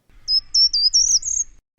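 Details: A short-toed treecreeper on a hillside walk near Castel Finans above Saint-Aignan gives its brief, high song of about six thin, sharp, evenly spaced notes that rise slightly toward the end, repeated again and again.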